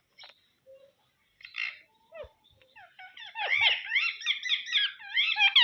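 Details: Pet rose-ringed parakeet talking: squeaky, high-pitched chatter mimicking words like "mamma pappa", building into rapid repeated phrases by the end.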